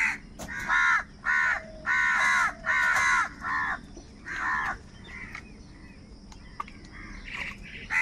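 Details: Crows squabbling over food open with a burst of five or six loud, rasping caws in steady rhythm, then fall to a few fainter, scattered calls.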